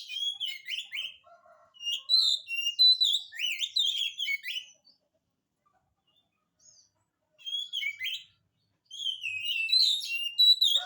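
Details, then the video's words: Lively oriental magpie-robin song meant to provoke silent birds into answering: dense runs of sweet, varied whistled phrases and sharp slurred notes, a pause of several seconds, then two more energetic bursts. "kacer gacor, cocok untuk pancingan kacer malas bunyi, jamin 1000% langsung nyaut"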